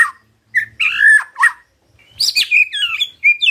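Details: White-rumped shama, a captive bird singing in response to a lure recording: bursts of rich whistled and harsh notes around the middle pitch range, with gaps of silence between phrases.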